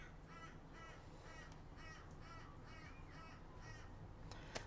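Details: A crow outside that has been calling for a long time, giving a series of about eight harsh, evenly spaced caws roughly every half second over steady background hiss.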